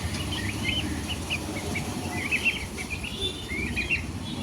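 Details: Baby chicks chirping: soft high peeps and trilled bursts, partly overlapping, set against strong low rumbling noise.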